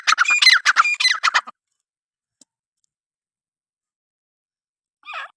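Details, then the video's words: Irani teetr, a francolin, delivering a quick burst of rapid scratchy notes lasting about a second and a half, followed by silence and then one short hoarse note. "irani teetr ki awaz"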